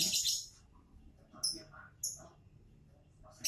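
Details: Lovebird giving harsh, high, buzzy screeches: a long broad burst at the start, then short sharp shrieks around one and a half and two seconds, with softer twittering notes between them.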